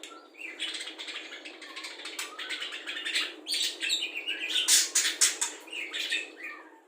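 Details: Budgerigar with an imitation repertoire of cucak jenggot, kapas tembak, lovebird ngekek and fighting sparrow calls, meant for tutoring songbirds; dense chattering warble of fast chirps and slurred whistles, growing louder midway.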